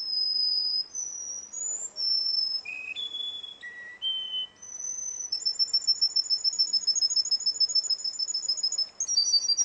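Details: Contest song of a Russian canary. Sustained clear whistles step up and down in pitch, then give way to a fast, rattling trill of rapidly repeated high notes through the second half.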